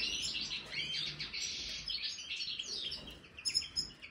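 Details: Aviary-kept European goldfinch, major form, offered marigold as a snack, delivers fast liquid twitters and short buzzy phrases, high-pitched and jangling, with a few sharper chirps near the end.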